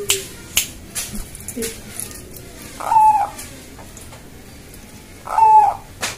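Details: Zebra dove of the Bangkok strain greets its owner with two short burry coos several seconds apart, against soft clicks and a faint human voice.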